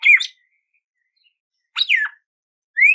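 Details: Red-cowled cardinal: three whistled song phrases, a rich falling note, a longer descending slur and a rising clear whistle.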